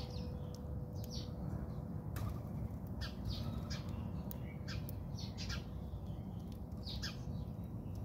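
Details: Backyard squabble among house sparrows in South Africa, with rapid scratchy chirps and squawks coming in clusters throughout, several birds calling at once against constant low-pitched background hum.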